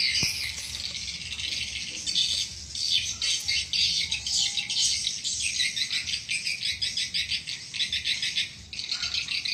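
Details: Swiftlet luring sound, used to attract the birds: crowded, high, squeaky twittering in rapid bursts, rising and falling in loudness, with a faint low hum.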